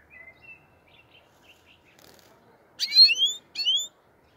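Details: A European goldfinch of the black-headed form, recorded around Andijan, Kuva and Fergana, gives soft high chirps, then two quick bursts of bright, rising twittered notes close together.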